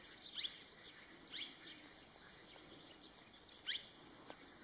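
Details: Sirkeer malkoha recorded during a bird survey in Madhya Pradesh, India; three short, sharp, high chirping notes spaced one to two seconds apart over a steady background hiss.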